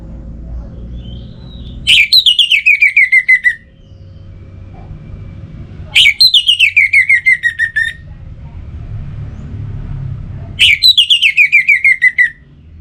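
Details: Orange-headed thrush repeating the same song phrase three times, about four seconds apart: a sharp high start, then a run of roughly ten fast whistled notes that step gradually downward.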